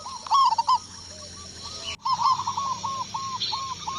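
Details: Local Indonesian zebra dove with a big voice answering a lure: rapid staccato cooing notes near one pitch, two loud bursts early, then a long run of evenly spaced short coos after a brief gap.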